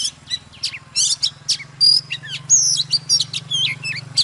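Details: A fired-up, mature wild-caught Oriental magpie-robin delivers morning song with dancing: fast chattering notes, then long pure whistles and slurred phrases, with a steady low hum underneath.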